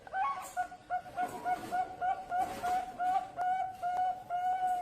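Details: Young Bangkok-type zebra dove, a contest prospect, sings a fast run of short, clipped cooing notes, evenly repeated about three times a second, fairly low and tonal, with faint background rustle.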